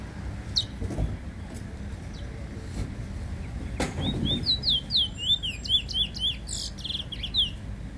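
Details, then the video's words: Black bullfinch song from 2019, a quick series of high, sliding whistled notes repeated several times per second in the second half, preceded by a few isolated sharp clicks over a low rumbling background. "Black bullfinch singing"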